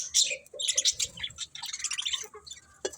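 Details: Budgies give quick bright chirps and squeaky twitters in short bursts, several birds overlapping, with a short pause midway.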